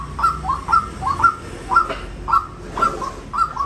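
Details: A white-breasted waterhen repeats short, slightly rising mid-pitched notes, some doubled, about twice a second, in a rhythmic series over faint low background noise.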